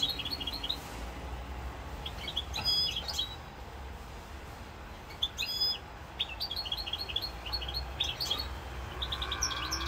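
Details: European goldfinch singing in Corsica on 7 November 2022: scattered high twittering notes and short metallic clicks come in loose bursts over a steady low rumble, with longer pauses between phrases.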